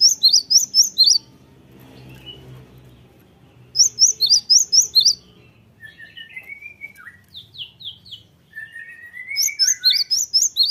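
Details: Cinereous Tit lure song meant to make other birds respond: three bursts of rapid, high, ringing notes, each about a second long, separated by gaps holding lower slurred whistles and faint low background noise.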